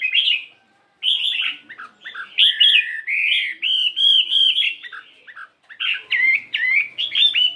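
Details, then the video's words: Chinese hwamei fighting bird of 72 grams practising its song in the morning: rich whistled phrases and fluty warbles delivered in bursts with short silent gaps, ending in quick repeated down-slurred notes. "Tiếng Chim Hoạ Mi Chiến 72gam Hót Đảo Giọng Rất Hay"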